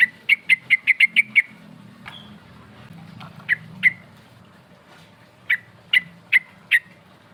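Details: Yellow-vented bulbul song used as a lure to call rivals, in a rolling, shooting style: a quick run of seven sharp chirps, a pause, then two and four more spaced chirps, over a faint low hum.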